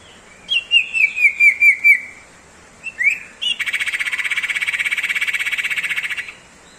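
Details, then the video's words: Common iora singing in an ngebrem style: a run of six clear falling whistled notes, two short upslurred whistles, then a long rapid buzzy trill held for nearly three seconds. "sirtu Ngebrem"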